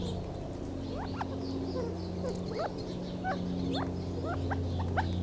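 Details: Gambel's quail giving a loose series of brief sliding chips and soft clucks, irregularly spaced, over a steady humming background with faint high calls.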